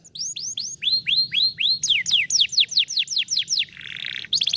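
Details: Canary song played to stimulate a lazy canary to sing: tours of high, downward-slurred whistled notes repeated about four per second, shifting to faster falling notes, then a brief buzzy rattle and a closing trill.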